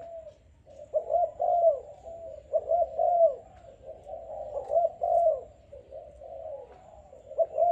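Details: Young, selected Malaysian-type spotted dove, kept about five days, cooing strongly: low, hollow, mellow coos in rounded phrases of two to three notes, repeated roughly every one to two seconds, with a faint low background hum.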